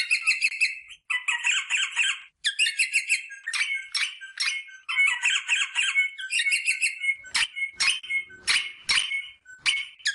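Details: Rosella sounds to stimulate mating: long runs of harsh, buzzy squawking chatter in bursts, with sharp clicking notes toward the end.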